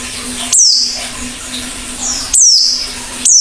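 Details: Oriental white-eye singing actively: three sharp, high, downslurred call notes spaced about a second apart, with a low steady electrical hum in the background.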